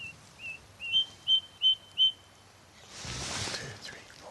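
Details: A male Ring ouzel in the remote Peak District uplands, relaxed and giving pure song rather than agitation calls, pipes six clear, fluty notes on one high pitch, about three a second, before a burst of wind noise.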